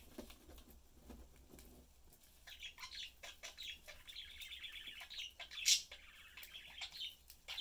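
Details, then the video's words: Family of pet budgerigars, parents and a youngster, eating and chatting; quiet start with clicking, then warbling buzzy chatter and one sharp loud chirp. "Sunday cute Budgie/Parakeet family lives, chatting, having fun and eating."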